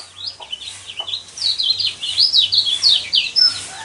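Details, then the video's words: A yellow white-eye sings high, rapid slurred whistles, a sound used to provoke caged birds into song. The phrases swell from soft notes into a louder, dense chattering sequence of roughly two notes per second. "burung pleci kecial kuning mana yang nggak kepancing emosinya dengan suara seperti ini"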